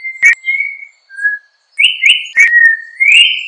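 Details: Yellow-backed Oriole song of clear, drawn-out whistled notes, some level and some rising, in short phrases separated by pauses, with a few sharp clicks.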